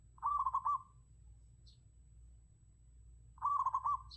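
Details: Zebra dove decoy recording: two bursts of rapid, rolling cooing notes, each a quick stutter of about five beats at a steady mid pitch, separated by a pause of over two seconds, with faint low hum underneath.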